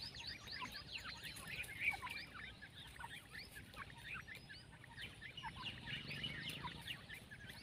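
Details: Partridge chicks, several together: a dense stream of short, high, downward-slurred peeps overlapping rapidly and continuously, with a faint low background hum.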